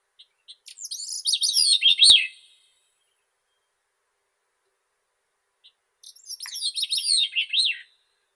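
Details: Two high, reedy song phrases of a Grey-cheeked thrush, separated by a long pause. Each starts with soft pips, then tumbles down in fast, wavering notes and finishes with an upslurred and downslurred flourish.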